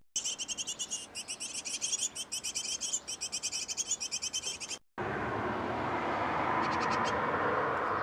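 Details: Great tit at a nest box where a pair is feeding nestlings: dense bursts of rapid, high, thin chirps repeated several times a second for about five seconds, then an abrupt cut to steady broadband rushing noise.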